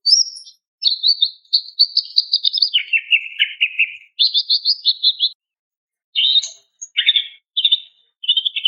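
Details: Female greater green leafbird calls a male with long, continuous chattering warbles, dropping and rising in pitch across the phrase, then shorter bursts after a pause.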